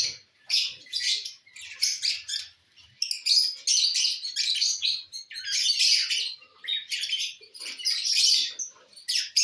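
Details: Lovebirds enjoying corn on the cob: a near-continuous stream of sharp, shrill, high chirps and squeaks in overlapping bursts, almost without pause.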